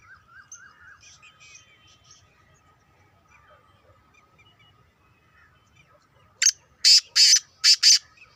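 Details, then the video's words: Black francolin, a two-year-old kept bird. Faint chirps of other birds come first. Near the end the francolin's loud call bursts in: a brief note, then four harsh, rasping, buzzy syllables grouped in two pairs. "Kala tetar / mera 2 saal ka new tetar / black francolin /black Patridge"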